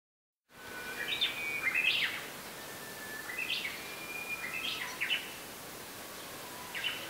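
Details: Japanese bush warbler songs recorded on a Yamaha Pocketrak PR7 and placed one after another: a long steady whistle, then quick rising slurred notes in the classic ho-hokekyo pattern, repeated about three times over light background hiss.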